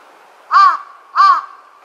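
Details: A large-billed crow, recorded 21 April 2022, gives two hoarse, nasal caws a little over half a second apart, against a faint steady background hum. Large-billed crow.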